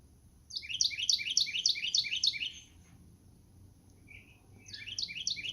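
A Carolina Wren sings a loud, rolling run of about six quick repeated phrases, each sweeping down, then pauses and starts another series.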